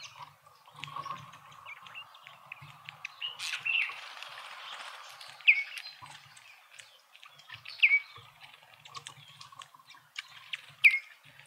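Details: Speckled mousebirds feasting at a feeder in a suburban garden in Pretoria, South Africa; a few sharp, downslurred whistles come spaced every two to three seconds over soft chattering and a low background hum.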